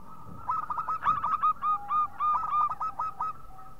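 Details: Local zebra dove, called perkutut lokal, used as a lure to get other birds calling: a rapid, stuttering run of short cooing notes, all near one pitch, delivered in quick succession with a faint second voice beneath.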